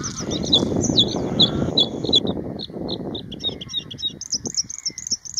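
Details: Bluethroat song in spring in the Netherlands, where the birds favour wet, marshy areas and males sing to attract females: a fast, varied run of high, ringing, metallic notes, some repeated in quick series, over a steady low rumble of wind or traffic.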